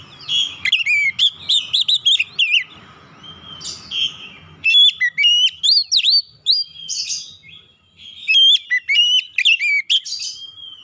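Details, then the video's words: Stimulating song of a white-rumped shama for a stressed bird: energetic whistled phrases with sharp upsweeps and buzzy chips, repeated in bursts, with low rumbling background noise early on. "PANCING 30 MENIT TIAP HARI PAGI | SIANG | MALAM KACER BAHAN SETRES CEPAT GACOR"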